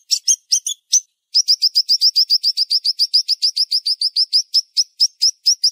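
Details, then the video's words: Siri-siri bird in tight, fast 'tembakan tajam' delivery: a few scattered sharp chips, then an unbroken run of crisp high chirps repeated about four per second, spacing out slightly toward the end. "Masteran Burung Siri Siri Tembakan Tajam Speed Rapat"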